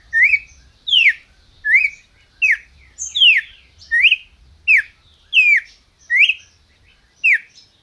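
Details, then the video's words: Captive red-crested cardinal in Brazil delivers a steady series of whistled notes, mostly sliding downward, about ten in eight seconds at a lively even pace. "Cardeal MAQUINA chamando e cantando"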